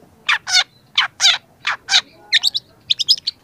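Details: Young long-tailed shrike in full song for a training recording: paired harsh rasping notes repeated three times, then quick bursts of twittering, mimicked-sounding chips.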